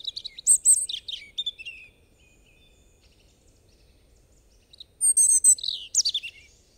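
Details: European robin song in two bursts separated by a pause: high sweet warbles, thin whistles and quick trills, the second phrase ending in a bright descending flourish, quiet background.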